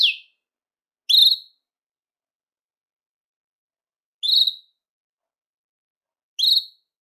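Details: Belgian canary giving short single chirps meant to attract and call canaries, four sharp rising-falling notes spaced one to three seconds apart with silence between them.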